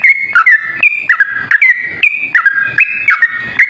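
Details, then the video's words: Yellow-vented bulbul lure recording: an unbroken stream of loud, rollicking whistled notes, each phrase stepping up then down, repeated several times a second. "suara pikat trucuk ropel..super gacor"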